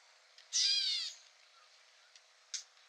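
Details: Gray catbird at Newman Lake, Washington, USA gives one harsh, nasal, cat-like mew lasting about half a second and slurring slightly downward, followed by a faint short note; otherwise quiet.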